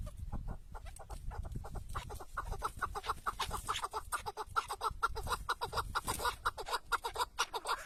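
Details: A tethered decoy chukar partridge calls during a hunt in the wild. It gives a dense, rhythmic string of short chuck notes, a little over two per second, that grow louder toward the end over low background rumble.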